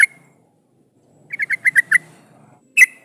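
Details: Yellow-vented bulbul song used as a lure to get other bulbuls answering and singing: a quick run of six bubbly notes around the same pitch, then a lone sharp note after a pause, otherwise quiet.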